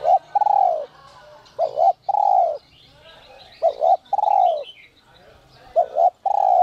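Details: Spotted dove of the giọng còi te te type, used to draw out wild doves, delivering repeated phrases every two seconds: two quick coos and a drawn, falling hoot, with faint twittering birds overhead.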